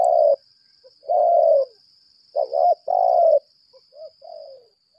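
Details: Challenge ('berlaga') calling from a 'lambung kuk' decoy spotted dove: a loud coo, a long husky held note, a quavering double coo and another long note, then quiet short coos fading out, over a steady high whine.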